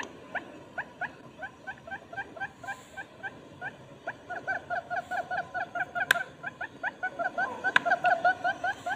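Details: Barred buttonquail lure recording meant to attract both males and females: a steady series of short, harmonic, slightly nasal notes, about two and a half per second, growing louder toward the end, with two sharp clicks and faint background hiss.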